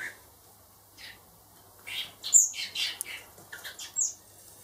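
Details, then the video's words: After a quiet start, hand-raised baby blackbirds, four birds to be released later, break into loud harsh squawks and high piercing chirps in a brief cluster. "Baby Blackbirds"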